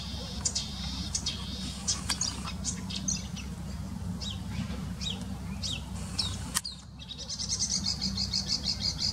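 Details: A marsh or reed warbler (uncertain which) sings in its natural habitat from the top of a bush, giving energetic quick high chirps and short trills in uneven bursts, possibly mimicking other sounds, with a steady low rumble underneath.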